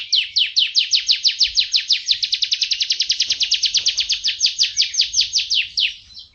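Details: Canary master song for training, described as champion, active and full of fills: one sustained rapid trill of sharp, high, downslurred notes, about six per second, fading out near the end.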